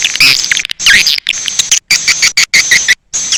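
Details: Edible-nest swiftlet calling sound named A Leyung, used to attract swiftlets: bursts of high chattering chirps with sharp frequency sweeps, separated by abrupt silent gaps.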